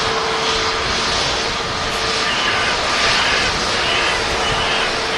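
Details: A loud, steady roar of a jet aircraft engine at an airport with a faint hum underneath and no animal sounds.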